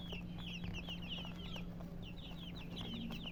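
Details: Colour chickens giving thin, high descending cheeps in a steady run, several birds overlapping, a brief pause mid-way, with a low hum and faint knocks behind.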